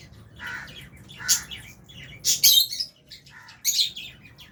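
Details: Aviary lovebirds, Fisher's and albino, at mealtime with budgies nearby, giving short piercing chirps and harsh squawks in uneven bursts, roughly one every second, with brief quiet gaps between.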